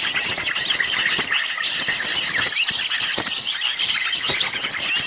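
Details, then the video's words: Agitated small-bird chorus meant to lure birds for catching: a steady wall of shrill, rapid chirps and zipping notes, with scattered short clicks beneath. "suara pikat burung kecil ribut"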